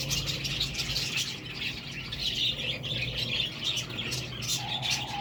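Budgerigars chatter in a dense stream of rapid chirps, squeaks and warbles.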